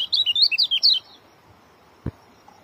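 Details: Dense, rapid song of an Oriental white-eye: about a second of sharp, twisting whistled notes packed closely together, then silence broken by a single low knock.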